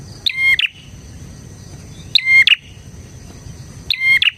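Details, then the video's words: Bar-winged prinia in full song, played as a prinia lure; three crisp chattering phrases, each a ringing buzz then a whistled note and a quick second burst, about every 1.8 seconds. "suara burung PRENJAK GACOR isian 💯% cocok untuk MASTERAN PRENJAK dan Pancingan prenjak bahan"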